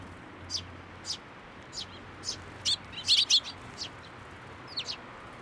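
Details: Hand-fed sparrows at a Tenmangu shrine in June 2024; a string of brisk high chirps about every half second, peaking in a quick cluster of louder tweets in the middle.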